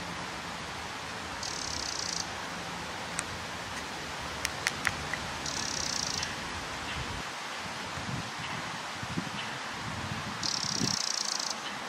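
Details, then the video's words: Perched on a fence post, a Eurasian wren gives short, harsh churring rattles, three bursts of about a second spread across the recording, with a few sharp clicks between them and steady wind rustle beneath. "Eurasian Wren calling out from on top of a fence post"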